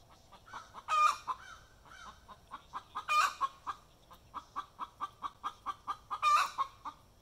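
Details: After laying an egg, a chicken gives her egg song: three loud, harsh squawks spaced about two to three seconds apart, each followed by a run of rapid, rhythmic clucks.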